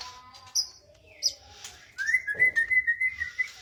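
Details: White-rumped shama giving soft scattered notes, then a sustained whistled phrase broken into quick rhythmic pulses for the last half.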